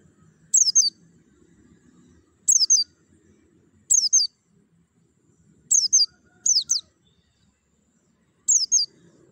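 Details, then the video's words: Javan white-eye sound used as singing-stimulation therapy: six bursts of high, quick, downslurred whistled notes, spaced roughly every one and a half to two seconds, on a quiet background with faint low hum. "TERAPI PLECI MERANGSANG BUNYI CEPAT GACOR BUKA PARUH"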